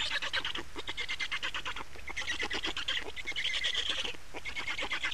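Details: Black storks at a nest in Estonia, 28 May 2019 at 15:51, during changeover and feeding: rapid runs of harsh, raspy pulses in bursts separated by short pauses, with a low background hum.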